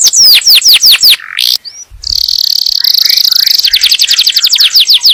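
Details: Yellow canary song used to prime the female for breeding and teach the chicks: falling whistled sweeps, a short pause, a long buzzy rattle, then a rapid chirping trill.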